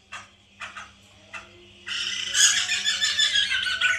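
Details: White-crested laughingthrush, a caged bird, used as a lure to make others sing: three short harsh notes, then a sudden sustained loud, rapidly pulsing chattering outburst.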